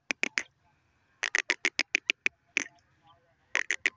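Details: Grey francolin calling in loud, sharp, clipped notes delivered in quick bursts of three to eight, separated by short pauses.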